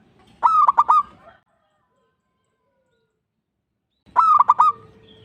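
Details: Lure song of a local zebra dove meant to prompt other birds: two brief rolling coo phrases, each a clear opening note followed by rapid staccato pulses, with near silence of about three seconds between them.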